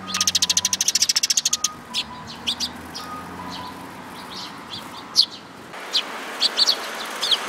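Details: Sparrow chicks with parent birds, 19 May 2018: a fast, even burst of about twenty high cheeps in under two seconds, followed by scattered single chirps over low hum.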